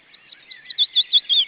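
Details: Restless female osprey giving a short series of four loud, clipped, high whistled notes, evenly spaced about every fifth of a second, after a faint, quieter start.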